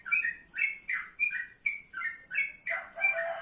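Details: Sunning in the morning, a male yellow-vented bulbul sings bubbly two-note phrases repeated roughly every third of a second, ending in a lower, fuller note.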